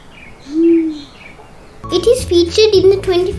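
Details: Sri Lanka wood pigeon, an endemic of Sri Lanka's mountains, gives a single deep, hollow coo that swells and fades over about half a second, followed by a person talking.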